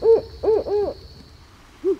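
Barred Owl hooting: three quick arched, rising-then-falling notes, a pause, then a final hoot, over a faint steady high whine.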